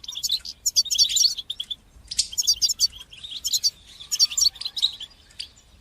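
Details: European goldfinch performing batbata and satsata song for stimulating young birds' singing: dense, ringing twittered phrases rich in rapid high notes and buzzy flourishes, three long bursts with short gaps.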